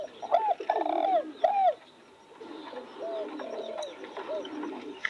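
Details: Spotted doves among freshly bloomed roses: a few loud, hollow, slightly bending coos in the first two seconds, then quieter overlapping cooing from more distant birds.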